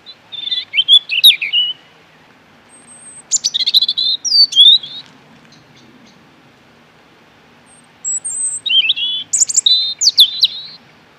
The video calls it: Amazing Bird Robin Singing